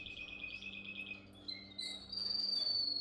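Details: Canary singing a training song for young canaries: a fast run of evenly repeated high notes, then short clear whistles and a long bright sustained trill at the end, with a faint low hum underneath.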